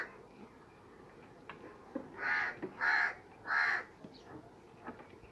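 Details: Three rasping caws in quick succession from a crow riding on a sheep's back, with soft scattered ticks and rustling before and after.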